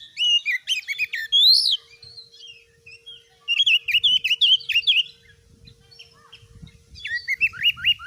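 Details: White-rumped shama, a singing kacer used as a master tutor so other birds gain fighting spirit: loud varied song of whistled rising upslurs, sharp chips and rapid trilled phrases in bursts, with a faint steady low hum.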